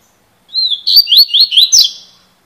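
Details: Double-collared seedeater described as a 'fibra' bird singing in the 'cilada' style: a high whistled note sliding down, then five quick upswept whistled notes with buzzy overtones, the phrase fading at the end. The background is quiet.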